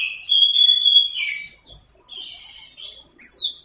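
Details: Orange-headed thrush teler song used as masteran: a long, steady whistled tone, then a buzzy flourish and high, thin drawn-out whistles, one of them sliding downward.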